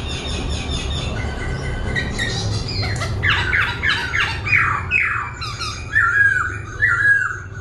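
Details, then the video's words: A laughingthrush (khướu) sings while dancing, switching voice continuously: a rich, fast run of slurred whistles and harsh squawky notes, changing phrases every second or so, over a low steady hum. "Khướu vừa hót vừa múa , Đảo giọng liên tục"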